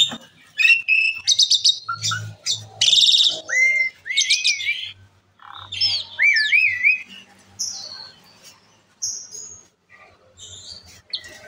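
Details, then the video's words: An Asian pied starling sings a busy, varied song of rapid chattering bursts, whistled rising and wavering notes, and harsh squeaks in quick succession, a song said to set other birds singing. "jalak suren gacor"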